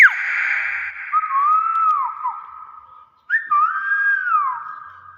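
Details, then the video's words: A Nias hill myna gives two loud, clear whistled phrases, each swooping up, holding steady, then dropping away, separated by a short pause. "BEO NIAS SUARA ASLI"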